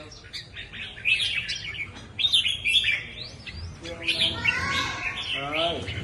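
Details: Red-whiskered bulbul giving quick warbling chirps and rising-falling notes in short bursts, followed by a harmonic buzzy sound near the end alongside a low background rumble.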